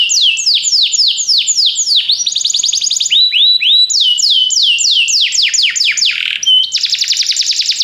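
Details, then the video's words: Belgian canary song used to stimulate other canaries to sing: continuous loud high whistled phrases, repeated downward-sweeping notes shifting into rapid trills and sliding tones, one steady note near the end. "canário especial para seduzir todos os canários - canário belga cantando"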